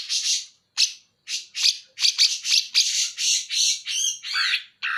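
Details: Greater green leafbird from Banyuwangi mimicking the bearded bulbul: loud raspy squawking notes in quick succession, some doubled, ending with a grating, wavering phrase.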